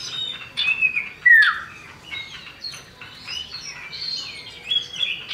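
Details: Common iora pair, male and female, in a lure recording where the female calls the male; a bright, falling whistle stands out among quick, varied chirps and thin high notes.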